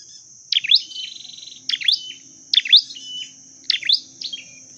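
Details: A dark-necked tailorbird, recorded while being trained and trapped, sings loud, high, sharply bent chirps in four short bursts about a second apart, over a steady high whine.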